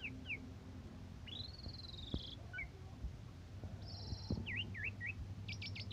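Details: Asian pied starling singing in morning and evening conditions, used as a model for training other birds: varied clear whistles, a long rising slurred note, buzzy flat phrases and quick repeated upslurs, over a low steady hum.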